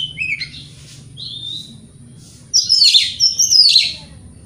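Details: Lure song of an Oriental magpie-robin, meant to provoke other magpie-robins: a few soft whistled notes, then a loud burst of rasping, chattering trills with sharp high accents.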